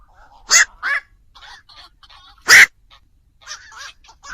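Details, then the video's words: Black-crowned night heron call used as a night lure for bird trapping ahead of Tết: two rasping croaks close together, then a single louder harsh squawk, with faint murmuring notes scattered around them. "tiếng chim vạc cho anh em đi bẫy chim đêm"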